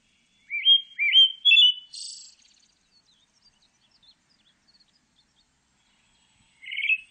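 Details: Pale thrush delivering rising whistled notes in quick succession followed by a high buzzy trill, then a pause and the start of another phrase.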